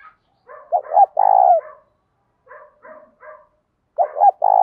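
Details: Morning call of a spotted dove luring wild doves, sung in the "thổ pha thúc" style. Soft cooing notes alternate with loud phrases of a quick double note and a long coo, heard twice.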